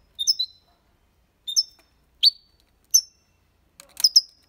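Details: European goldfinch delivering copia Málaga song for stimulating young birds: five bright, high chirped phrases, each a tinkling note with a short ringing whistle, repeated about every second in near silence.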